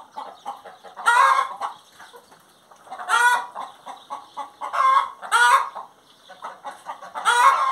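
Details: Hen's song of repeated clucks, roughly every two seconds a loud rasping squawk stands out, five in all, between runs of quieter rhythmic clucking.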